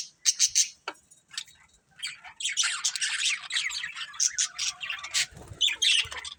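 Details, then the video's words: From a breeding pair of budgerigars come a few sharp squawks, a short quiet gap, then a rising jumble of raspy chatter and scattered high chirps. "Cute Budgies Chirping Sounds"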